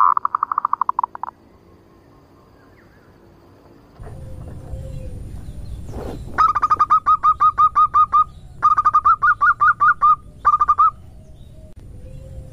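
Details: Lure call of a female zebra dove, 'nutut ngerot' style: a short opening rattle of coos, a rustle and a knock, then long fast runs of crisp hooked notes in two bursts, ending with a faint low coo.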